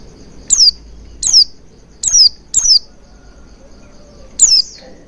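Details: Oriental white-eye lure sound meant to make a bird start singing: five thin, piercing notes, each swooping down from very high, spaced irregularly about a second apart over low background rumble.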